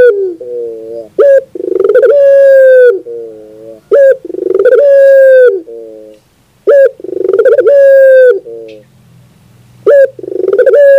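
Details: {'text': 'Repeated song of a Barbary dove, from a 2021 bird-training recording: about four phrases, each a low coo, a clipped high note and a rolling pulsed coo held as a long steady hoot, roughly every two to three seconds.'}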